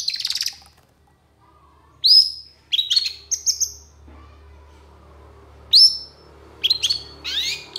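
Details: Long-tailed shrike singing in lively, emotional style with long bursts: separated clusters of high, sharp whistled notes, short phrases broken by pauses of a second or more, against a quiet low hum.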